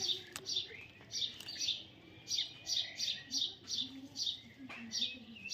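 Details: Young parrot calling with bright, high squeaky chirps in short bursts, some paired, separated by brief pauses, over faint low background noise.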